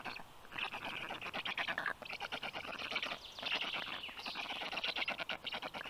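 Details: Black stork at the nest while the mother feeds her chicks, 10:37 a.m. on 18 June 2022: dense, buzzy, rapidly pulsed wheezing calls in long bursts with brief pauses near two and four seconds.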